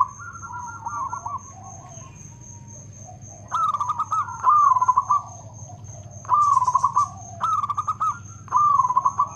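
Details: Loud, rhythmic song of a local zebra dove: after quieter coos, four separate bursts of quick, trilling, rolling coo notes arrive roughly every one to two seconds. A steady high-pitched tone and a low hum persist.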